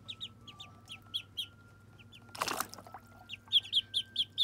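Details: Muscovy ducklings at their first bath peep in quick high notes, about two per second, broken by a burst of splashing water, then a louder run of peeps over a faint hum.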